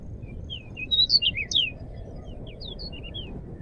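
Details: Lively pied bushchat song: a fast cluster of high, sweeping chirps and sharp notes, then a few softer, scattered whistles, over a low steady hum.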